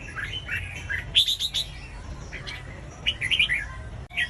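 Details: Red-whiskered bulbul song for setting off other bulbuls' singing: a few soft slurred whistles, then a brighter three-note phrase, a quiet pause, and another quick burst of ringing notes, with background hiss throughout.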